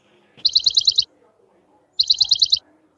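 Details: House sparrows nesting at a village home give two quick bursts of chirping, each about seven bright, high chirps run together, with a pause of about a second between bursts.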